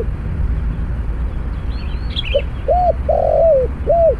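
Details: Spotted dove used in snare-cage trapping with a decoy bird. After quiet hum, it gives a soft short coo, a rounded coo, a long drawn coo and a final arched coo, with brief high twitters from other birds and a low rumble.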